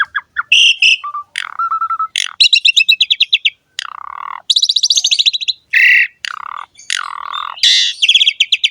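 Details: Asian pied starling, called jalak suren, singing gacor ngerek: short whistles and level tones give way to long buzzy rattles and harsh squawks, repeated in energetic bursts.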